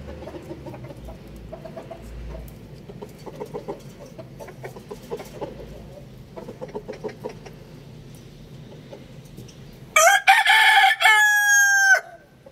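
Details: Rooster, one of two crowing. About ten seconds of soft, irregular clucking and faint farmyard murmur, then a sudden loud crow: a choppy start running into a long, raspy, sustained note that tails off downward.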